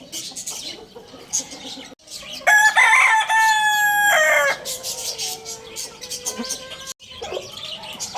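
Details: Lohmann Brown rooster at Lalukhet bird market, Pakistan, giving one loud, harmonic-rich crow of about two seconds that holds steady and then trails off. Fainter clucks and background bird chatter come before and after.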